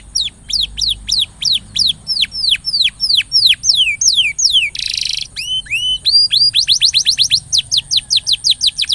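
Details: Canary song used to coax a silent canary into singing: a series of sharp, high, downward-sweeping whistled notes, a short buzzy rasp near the middle, then a quick, even run of repeated chips.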